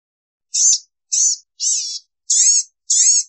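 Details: Five wheezy, buzzy, high-pitched mewing notes from a blue-gray gnatcatcher, each about a third of a second long and spaced roughly half a second apart, on a quiet background.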